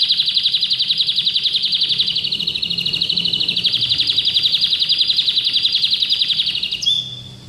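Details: A domestic orange canary (Serinus canaria) in training sings a long, high, rolling trill of rapid chirps, ending with a brief sharp note.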